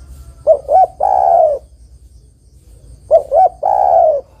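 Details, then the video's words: Female spotted dove calling a male, used for luring: two calls nearly three seconds apart, each a pair of short hoots followed by a long mellow croon, over quiet background hum. "tekukur betina memanggil jantan"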